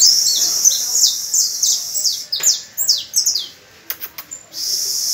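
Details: Canary pupils learning song from an adult canary, recorded on the first of May: a rapid run of high, slurred, downward notes and buzzy rolls, with brief sharp clicks and a short pause before the rolling resumes.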